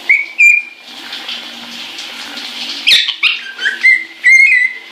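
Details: Caique happily singing while showering, with level whistled notes at the start and end, harsh squeaks in between, and steady running-water noise.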